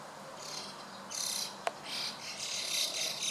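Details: Gathering flock of White-cheeked starlings, afternoon of 23 June 2016: dense, hissy chattering bursts repeated several times, one sharp click in the middle, and a faint low hum.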